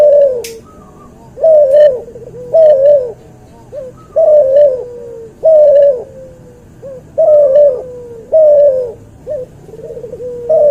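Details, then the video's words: Crossbred cuhu dove, from an albino white puter and a puter pelung, in a training recording: a long run of about nine short rounded coos with small trailing notes, evenly repeated throughout, plus a brief click near the start. "MASTERAN BURUNG CUHU HASIL SILANGAN PUTER ALBINO PUTIH VS PUTER PELUNG"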